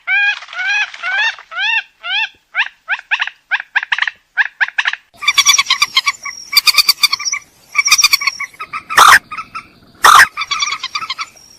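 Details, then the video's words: Purple swamphen from lowland swamps uttering a series of rising, upslurred nasal hoots that quicken, then shifting into louder harsh cackling with two explosive squawks. "Suara Pemangil Burung Mandar"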